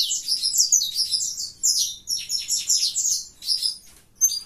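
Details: Mutation saffron finch in continuous song, high-pitched and busy, made of squeaky buzzy chirps in tight clusters, pausing briefly before a final sharp note.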